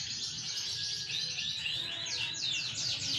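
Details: Green bon AFS canary of large build singing a blurred high warbling stream, then a series of quick descending slurred notes toward the end, with constant low rumbling background noise.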